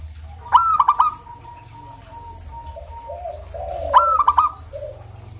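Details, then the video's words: Local zebra dove sings two stuttering phrases of bright pulsed coos. Faint, even lower notes and mellow cooing come between them over a low background rumble. "Terapi suara perkutut lokal"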